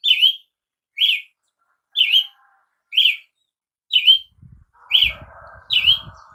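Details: Brazilian tanager giving regular bright dipping chirps about once a second; in the last second and a half a soft low rumble and a faint hissy hum run beneath the notes.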